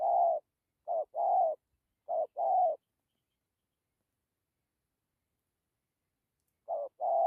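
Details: Spotted dove giving soft, low coos in pairs of a brief note and a longer one. Three pairs come in the first few seconds, then a long silence, then one more pair at the end.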